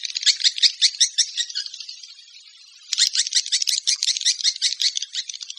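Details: Swiftlets call in quick, pulsed high chirps, about three per second, in two bursts split by a near-silent pause in the middle, giving a buzzy rattling chatter.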